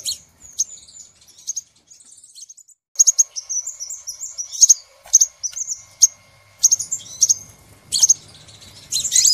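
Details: Crimson sunbird lure call for trapping birds: very high, sharp chirps and thin twitters in uneven bursts, with short gaps between phrases and a rough, buzzy flourish at the end; faint low hum in the background.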